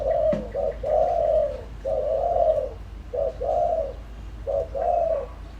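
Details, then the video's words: Spotted dove used as a lure bird, giving a full cooing sequence to provoke wild doves: low hollow coos in repeated phrases, each a short note followed by a longer drawn coo, about three phrases in six seconds over a faint low hum. "tiếng chim cu gáy mồi đủ bài gọi thúc gù giọng hợp Bổi kích bổi nhanh nổi"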